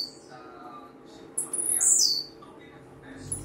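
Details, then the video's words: Blue-black grassquit singing a lot: one high, buzzy phrase lasting under a second, sweeping down from very high to a lower buzzy end. Faint low hum throughout. "TIZIU CANTANDO MUITO"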